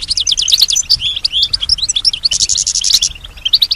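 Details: European goldfinch singing while imitating surrounding sounds; a loud run of quick repeated chirps, then varied twitters and a harsh buzzy stretch before sparser closing notes.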